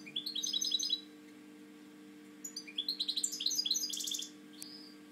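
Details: Caged male European goldfinch with a slightly drooping wing singing indoors: two bursts of quick twittering chirps and tinkling notes, separated by a pause, over a steady low electrical hum.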